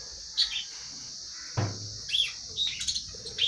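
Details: Lovebird chirping while eating food, giving brief high squeaky notes scattered through the clip, with a dull knock partway through and a constant high hiss behind.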